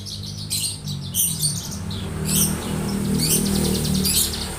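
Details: Young Javan bush lark singing: bursts of high, rapid chirps and trills repeated in quick succession, with a steady low hum underneath.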